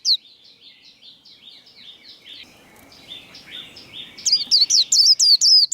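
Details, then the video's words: White-eye in contest singing, 'líu' style: a softer, more distant series of whistles, then a loud burst of about six sharp, hooked notes near the end over background noise. "Vành khuyên líu đấu"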